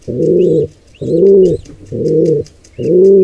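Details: Wild pigeons, with a squab under attack from an intruding pair: rhythmic low coos, four in a little over three seconds, each a rounded hum, with faint high chirping notes in the background.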